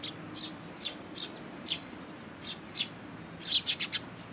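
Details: Sparrow chicks and young birds begging as parents feed them at a Tenmangu shrine on 2 July 2022: irregular, high, clipped chirps, some in quick clusters of three near the end.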